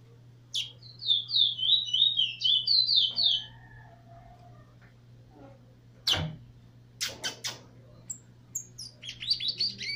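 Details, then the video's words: A chestnut-bellied seed finch (Trini bullfinch), a brown nurser matched against a tutor bird in 2018, pours out rapid, high, sweet warbled phrases, then sharp knocks and a second twittering burst, over a low electrical hum. "Trini bullfinch"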